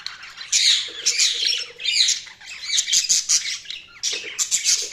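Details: Budgies chirping with loud buzzy squawks and warbled chatter in several bursts, rising and falling in intensity.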